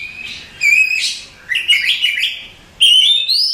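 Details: Contest-champion Oriental magpie-robin used as a tutor song: clear high whistles and rising strained phrases in three bursts, rich with overtones, no other sounds.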